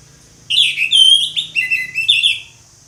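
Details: Orange-headed thrush singing in the loud open 'ngeplong' style, a continuous stream of sweet whistled notes and quick slurs shifting up and down in pitch for about two and a half seconds.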